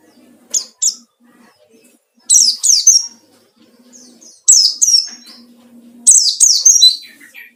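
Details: White-eye song used to draw and provoke rivals: clustered high chirps sliding downward, in phrases about every one and a half seconds, with a faint low hum in the background.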